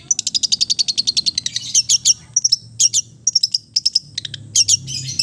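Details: Long-tailed shrike of the East Java type in relaxed, full-fill song: a fast run of dry, even chattering notes for about two seconds, then sharp high squeaky phrases broken by short pauses.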